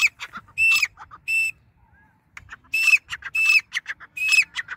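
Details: Dakhni teetar, the grey francolin, giving its nonstop call: a run of shrill, ringing, whistle-like notes broken by short harsh syllables, repeated in loud bursts after a brief pause.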